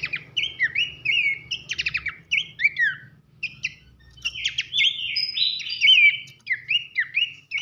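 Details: Loud 'nembak nyiul' song of Horsfield's babbler (pelanduk semak) for training songbirds: bright descending whistles and buzzy rattles in quick phrases, a brief lull near three seconds, then a fuller, longer whistled passage.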